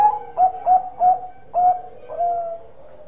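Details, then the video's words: Bangkok perkutut, a zebra dove noted for its big voice, singing: four punchy, short coos at irregular spacing, followed by two longer, softer drawn-out notes fading at the end. "Perkutut Bangkok Gacor Suara Besar"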